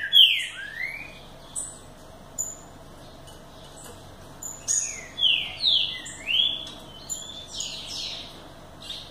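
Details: Green-winged saltator performing the BDSCB song style, opening with a loud downslurred whistle, then scattered notes, then a tight cluster of sweeping whistled phrases midway through.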